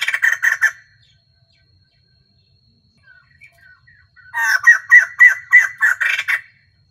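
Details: A female White-crested laughingthrush, used as a lure bird, gives two loud, harsh bursts of rapid, cackling, laughter-like notes. The first is brief and the second lasts about two seconds, with soft calls between them.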